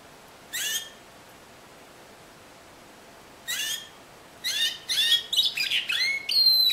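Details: Canary of the Timbrado breed, discontinuous song: isolated high descending chirps separated by silent gaps, then a tight cluster of quick notes and a short, high whistled trill at the close.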